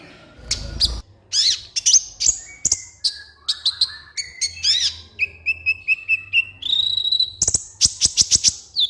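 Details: Kolibri ninja song used as a master and lure for captive birds that will not sing: varied high slurred whistles, repeated steady whistled notes, then rapid sharp chips, loud and close.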